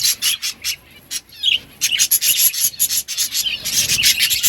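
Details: High, rasping chirps and quick twittered notes from budgies eating green food, coming in choppy bursts separated by brief pauses.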